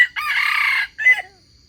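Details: A wild chicken crows as a trapping lure for wild birds. The clip opens at the tail of one note, then a long coarse ringing syllable and a short higher final note, with a thin insect hum after.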